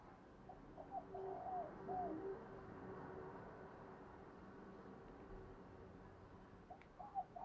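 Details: Caged decoy spotted dove cooing to draw in wild doves: a short run of soft, hollow coo notes early on, then silence, and a brief final coo with a low steady hum behind.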